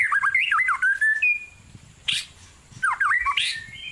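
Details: Wild white-rumped shama in cool forest, giving rich whistled phrases with looping slurs, a held flat note, then a burst of harsher notes and another twisting whistled phrase.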